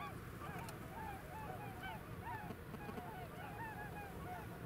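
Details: A flock of Bewick's swans flying over the village of Brandwijk in the Alblasserwaard, Netherlands, gives overlapping soft, yelping honks, several each second, over a steady low rumble of wind.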